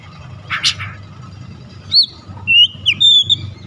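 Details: Oriental magpie-robin giving an enticing song meant to draw a response from house-kept birds: after a faint buzzy note, a few clear whistled slurs and short rising whistles, with a low hum underneath.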